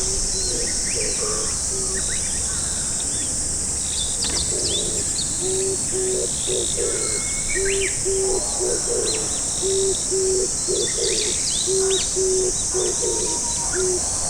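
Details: Oriental turtle dove from a hilltop in Japan, one perched nearby answering another unseen dove in repeated back-and-forth: low, soft hooting notes in short groups, with constant high insect buzz and scattered thin calls of other birds.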